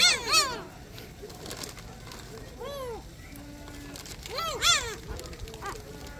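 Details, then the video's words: Noisy flock of gulls at Sinjindo, Seosan, South Korea, giving loud arched mewing calls with rich harmonics, several birds overlapping in bursts, with a flat tone and background chatter between calls. "이런 시끄러운 갈매기는 처음이야"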